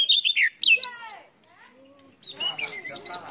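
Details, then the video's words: Oriental magpie-robin (kacer) singing a full, varied song with its tail spread in a cobra-like display. It gives bright whistled and slurred notes, pauses briefly with a low faint sound, then breaks into a busier, chattering phrase. "PANCINGAN KACER ISIAN FULL BUKA EKOR NGOBRA"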